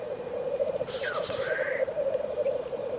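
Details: Black grouse in frosty surroundings: continuous low, rippling bubbling, with a short thin whistle that swoops down and then rises above it midway.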